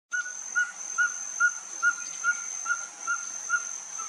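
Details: A perched ferruginous pygmy-owl sings at Finca La Gracia, Escuintla, Guatemala, on 26 October 2019. It gives a long series of clear, mellow hoots, about two to three per second and steady in pitch, over a constant high insect drone.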